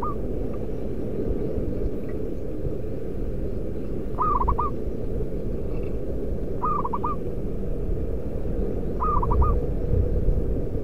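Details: Local zebra dove praised as a strong lure bird with a loud voice, repeating brief rolling coo phrases about every two and a half seconds, over constant low-pitched background rumble.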